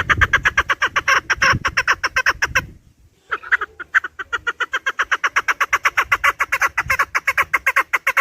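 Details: Chukar partridge giving a long run of rhythmic, scratchy chuk notes, briefly interrupted, then resuming steadily at about two to three per second. A low rumble sits underneath. The recording is intended for hunting.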